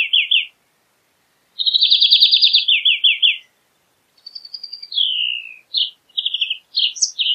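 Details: Wild European greenfinch (Chloris chloris) singing. Fast rattling trills step down in pitch, then a thin drawn-out note slides downward, followed by short trilled phrases and chirps.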